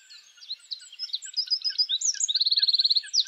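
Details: Eurasian wren singing a mating song in a wild spring forest: a fast, loud jumble of high twittering notes that ends in a rapid dry trill, with soft regular chirps lower down throughout.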